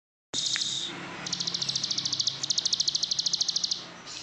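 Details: Plain prinia (ciblek sawah) in Indonesia, singing in the ngebren style: short bursts, then longer trains of rapid, even, buzzy high notes, about three per second, with a brief pause between trains.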